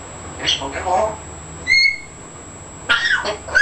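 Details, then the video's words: A 14-month-old baby African grey parrot talking indoors, saying new words: short voiced word-like sounds, then a clear rising whistle-like tone near 1.8 seconds, followed by two more brief talking bursts. "Talking Afric gray"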